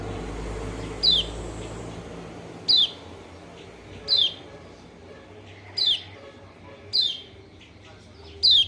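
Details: Lure call of a white-eye, played to provoke a lazy bird to answer and sing: bright, high, falling chirps spaced one to two seconds apart, six in all, with soft low rumble beneath.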